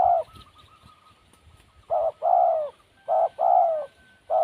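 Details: Wild spotted dove calling in paired coos, a clipped note then a longer mellow one, repeated at intervals, while a thin high bird note sounds faintly between phrases.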